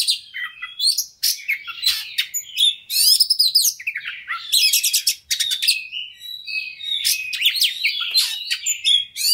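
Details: Oriental magpie-robin singing hard and fast, used to provoke a fighting bird into singing: a rich, varied torrent of high whistles, sharp chips, rattling bursts and sliding notes, barely pausing, with dense noisy stretches around three and five seconds.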